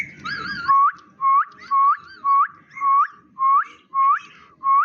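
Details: Indian ringneck parakeet kept as a talking pet parrot: a brief wavering warble, then eight clear whistled notes in quick succession, each level before snapping upward at the end, roughly every 0.6 seconds.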